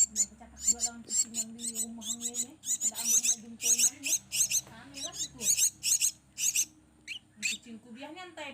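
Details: Hand-fed Javan myna nestlings begging while being fed by a person: harsh, hissy, rasping bursts repeated about twice a second, with a person speaking throughout.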